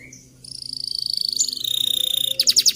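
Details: Canary song meant to train other canaries: a short chirp, then long steady whistled tones shifting pitch, ending in quick bright rolling notes, with a faint hum.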